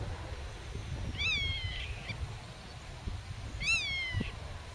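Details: Black-tailed godwit guarding its territory and young in the grass: two separate slurred nasal calls a few seconds apart, with wind noise.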